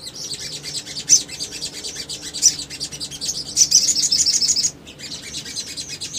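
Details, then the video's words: Male little spiderhunter, recorded to lure other birds into responding. Continuous high, rapid twittering carries loud sharp accents and a fast even trill near the middle, stopping abruptly before resuming. "PANCINGAN CEPAT MACET BUNYI SOGON BAHAN IJOAN"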